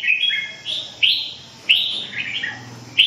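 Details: Red-whiskered bulbul singing short bright warbled phrases, each starting with a sharp rising note and sliding down, repeated roughly every second with brief pauses between.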